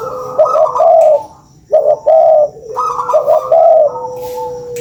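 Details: Spotted dove cooing for luring birds: three mellow phrases of soft hooted notes ending in a longer drawn coo, separated by short pauses, over a faint constant hum.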